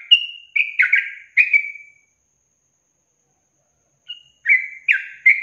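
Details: Yellow-vented bulbul song from a long-trill training recording for songbirds: two bursts of bubbly, slurred whistled notes around mid-high pitch, separated by two seconds of silence.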